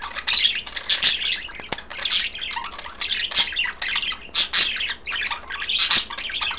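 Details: Three pet budgerigars, one green, one blue and one white, chirping while eating kale in a cage; dense bursts of warbled, scratchy chirps repeated in rapid clusters throughout, with occasional faint clicks.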